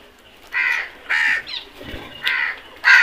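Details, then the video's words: Crows in a flock while eating, harsh caws in bursts of about a third of a second, five spaced calls over three seconds, quiet between. "Flock of crows beautiful sound effect"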